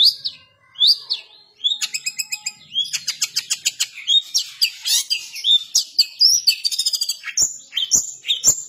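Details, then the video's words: A kept long-tailed shrike sings actively in the harsh 'nembak kasaran' style. High, sharp, rising whistles open into a fast rattling volley of buzzy repeated notes, then more piercing upslurred whistles and clicks. "cendet gacor nembak kasaran"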